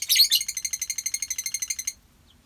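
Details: Lovebirds in a colony produce a loud, harsh, shrill burst, then a fast run of about eighteen evenly spaced rasping pulses lasting roughly two seconds, followed by quiet.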